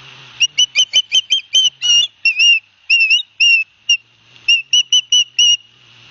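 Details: Osprey chicks on a live-cam nest in Barnegat Light, New Jersey, 9 September 2021, as their father brings fish: quick whistled chirps mixed with longer wavering squeals, in irregular bursts.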